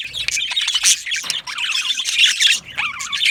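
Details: Australian budgerigars, yellow males in an aviary, chattering in overlapping high chirps and warbles, including some rising and falling whistled notes, with the loudness pulsing from bird to bird.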